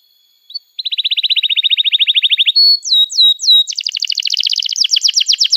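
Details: Canary song meant to teach young canaries: a long, steady trill of rapid chips, then three swooping downslurred whistles, then dense, fast, buzzy rolling trills.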